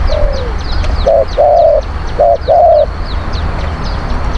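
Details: Spotted dove, a lure bird for wild doves, giving a faint falling coo, then two phrases of a short coo and a long wavering coo, with high ticking chirps of other birds and a low hum.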